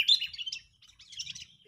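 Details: Sooty-headed bulbul giving agitated, angry calls used as a lure for trapping birds; a brief burst of high, scratchy chirps and twitters, loudest at the start, then a quieter chattering run of rapid notes.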